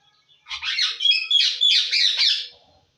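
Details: Pet talking parrot in Assam making loud, harsh, buzzy squawking phrases in two bursts over about two seconds, rough and broadband, in a quiet indoor setting.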